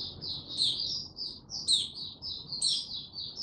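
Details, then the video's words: Male Mata Puteh, or white-eye, steadily working up to full song on 06-03-2022: sweet, high warbled notes strung together, with sharp squeaky accents roughly once a second over faint background hum. "Mata Puteh Before he open buka Tsunami Video 1 gaining confidence to buka slow n steady"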